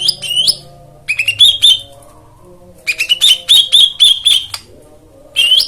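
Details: Song for a caged white-eye that has gone quiet, meant to prompt it to sing. Loud, clear whistled notes repeated in quick rising phrases, with short silent gaps between bursts.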